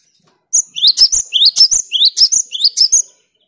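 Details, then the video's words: Clear, chatty song of a cinereous tit (gelatik batu), used to rile up rival birds. After a short silence, paired notes begin: a quick upward whistle, then a piercing high note, repeated steadily for about two and a half seconds. "Suara Gelatik Batu/Wingko Gacor Jernih bikin emosi LAWAN"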